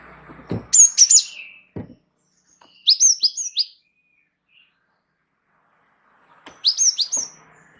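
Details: Java sparrow in steady song for bird training: three phrases of four or five rapid, high, downslurred chirps each, separated by quiet gaps of two to three seconds.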